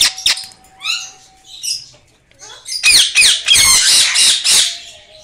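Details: A pet blue ringneck (Rose-ringed parakeet, Psittacula krameri) gives a few short rising chirps, then a loud run of harsh, screechy squawks about four per second, over a faint steady hum.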